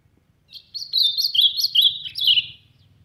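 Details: Azulão, the ultramarine grosbeak, from the Brazilian sertão delivering a strong song: a rapid run of slurred, descending whistles and chirps over roughly two seconds, with a soft low hum in the background.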